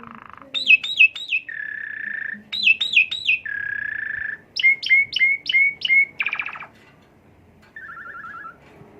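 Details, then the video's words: Asian pied starling song played as a lure to stimulate a bird: looping, whistled triplets alternating with flat, buzzy rasps, a series of five bright chirps, a harsh burst and a final short trill. "bongkar isian jalak suren dan pancingan untuk mompa sang Garuda"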